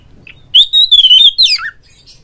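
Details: Oriental magpie-robin provoking lure song for a kept rival: one sustained, clear wavering whistle lasting about a second, ending in a quick downward slur.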